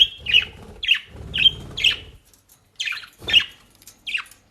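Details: Pet budgerigars in the Den Haag region, Netherlands, feeding on dry leaves and grass from a bird shop; clear, short high chirps repeat about twice a second over soft crunching and rustling of leaves.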